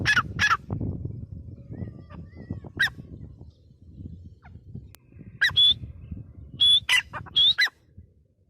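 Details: Grey francolin, called teetar, giving two harsh squawks, a long quiet gap with low rumble, then a cluster of sharp calls and brief whistled notes near the end.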